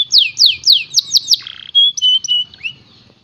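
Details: Canary delivering six loud descending slurred notes, then a brief buzzy tone, short clear whistles, and a few softer notes fading out.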